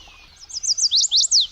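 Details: Chestnut-sided Warbler song in the Cherryfield woods, Washington County, Maine: a quick run of high, sweet slurred notes building to an emphatic finish, like "please please please to meet you", heard when the birds are back.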